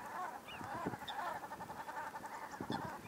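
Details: Common Shelducks quarrelling aggressively in the breeding period after coming too close to each other: a steady run of nasal, honking calls with overlapping harsh bursts, several birds calling at moderate distance.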